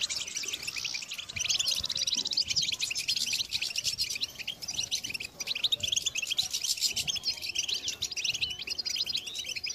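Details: European goldfinch motivational song meant to make other goldfinches sing nonstop: dense, continuous high twittering with fast trills and chirps, loud throughout, over a faint low rumble of background noise.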